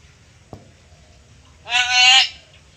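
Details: Black-capped lory kept as a pet, copying familiar human speech: a single strained, raspy word-like call of about half a second, preceded by a faint tap, otherwise quiet.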